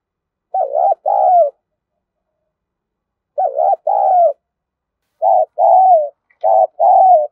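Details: Spotted dove cooing and crowing, used to train decoy birds: paired hollow coos, a dipping note then a longer falling one, in four bursts with pauses, speeding up toward the end.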